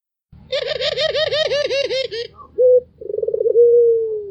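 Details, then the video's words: White Barbary dove, kept bird, giving its laughing call: a long, rapid rolling trill of throbbing pulses, then a brief clipped note and a stretched, slightly falling coo, in a quiet room. "SUARA KETAWANYA BIKIN EMOSI BURUNG LAIN ll SUARA MERDU BURUNG PUTER PUTIH"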